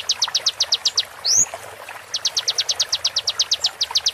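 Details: Konin master song for teaching songbirds, genuine konin voice slowed with water-therapy sound: a burst of quick high clicking notes, a pause with one upward-swooping whistle, then a longer fast run of the same sharp notes.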